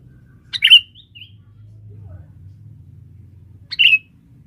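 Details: Male sooty-headed bulbul in forest, used as a decoy for females: two sharp, slurred chirps about three seconds apart, plus a soft faint note between, over quiet low background noise.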